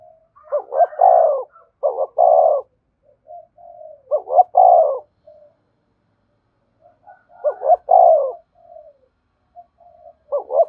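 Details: Spotted dove cooing, used to lure wild doves that answer and come quickly to the decoy spot: loud, clean phrases of several throaty coo notes, each group lasting about two seconds, returning every few seconds against a silent background.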